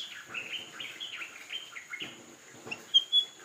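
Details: White-browed fantail giving a run of short whistled notes that step up and down in pitch, some slurred, over a faint steady high hiss, with a couple of sharp bright chips near the end.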